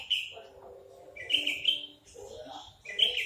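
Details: A crested, big-bodied Horsfield's bush lark in captivity sings three bursts of rich, buzzy, high chirps separated by a soft low warble.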